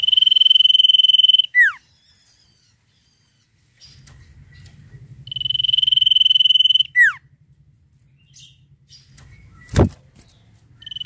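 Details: Sirtu song repeated: a fast high pulsed trill ending in two quick descending whistles, given twice about five seconds apart, with a low rumbling hum and a sharp knock between phrases.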